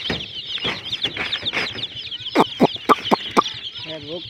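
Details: High, rapid peeping from a crowd of colourful hen chicks, with a burst of five sharp knocking taps and a short low cluck near the end.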